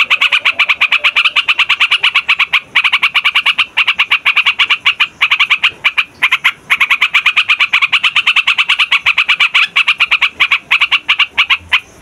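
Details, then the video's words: Long, loud rolling song of a Yellow-vented Bulbul, used for trapping wild bulbuls and tutoring young males and females: fast, evenly chattered harsh notes running almost nonstop, with only tiny breaks. "TRUCUKAN RIBUT BUAT PIKAT"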